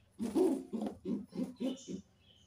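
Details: Caged pigeons, kept with young birds: six short, low, throaty coos in a quick, evenly spaced series, each a muffled pulse, followed by a faint higher chirp near the end.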